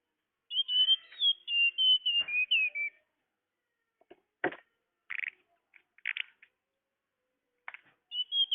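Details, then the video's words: Whistled tledekan lure call for attracting birds: one run of clear stepped notes sliding gently downward, followed by sparse clicks and short harsh chirps, then the whistle returning at the end. "Suara pikat burung tledekan"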